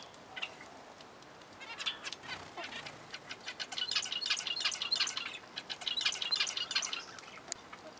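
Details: Zebra finches give quick, nasal, toy-trumpet beeps, several birds calling over one another in a busy, irregular chatter of about three notes a second.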